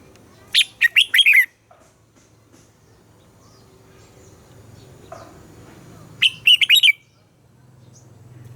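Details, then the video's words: Morning song of a red-whiskered bulbul in the double-note wild style used for training captive birds: two sharp warbling phrases of quick rising and falling notes about five and a half seconds apart, over a steady low hum. "Luyện giọng cho chào mào hót sáng - ép chào mào hót âm kép già rừng hay tuyệt!"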